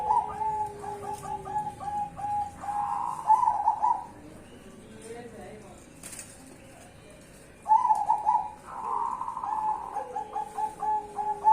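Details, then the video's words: Zebra doves of the cemani and Bangkok varieties singing a duet: warbled, bubbling cooing phrases with fluttering notes, one burst of about four seconds and another after a pause, over a steady low hum. "duet perkutut cemani dan Bangkok"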